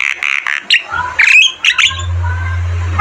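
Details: Vigorously singing Javan myna, recorded as a model for caged birds: rough, raspy chirps, then softer bent whistles, ending as a steady low hum takes over.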